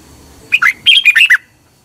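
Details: Red-whiskered bulbul song from Thailand, played each morning to train caged birds. A single clear whistled note comes first, then a quick phrase of four warbled, slurred notes that rise and fall. Quiet background.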